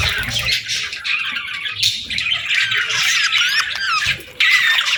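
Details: Morning chirping from a group of parakeets: continuous high twittering and scratchy squawks overlap, with a few rising whistled notes near the end and some low knocks at the start.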